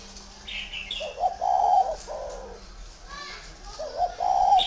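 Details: Tame, big spotted dove from a Ba Vì farm in Vietnam giving two husky, sustained coo phrases. Shrill high chirps from a smaller bird come before them and between them.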